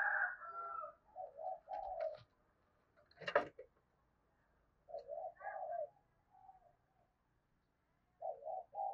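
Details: Lure spotted dove cooing to draw wild doves: several low throaty coo phrases of short notes and a longer note, with a sharp knocking noise in between and a faint background hiss.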